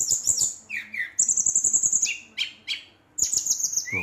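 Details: Riled brown-chested jungle flycatcher singing to provoke rivals: quick high chirps, a long even rapid trill, sharp downslurred notes after a brief pause, and a rising whistle at the end.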